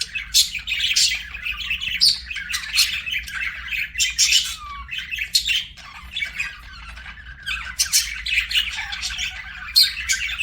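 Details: Budgie chirping in a lively run of sharp, clicky chirps, scratchy warbles and occasional short whistled slurs, with a quieter patch in the middle, low hum underneath.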